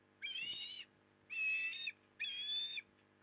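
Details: Loud osprey calling from the nest at Port Lincoln, Australia, during an afternoon fish delivery on 15 September 2020: three strong, sustained whistled notes, each about half a second, roughly one per second.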